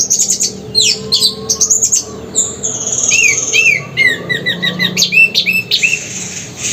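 An orange-headed thrush sings a loud, varied run of high whistles, sharp sweeps and rapid trills, changing phrase every second or so over a faint low hum.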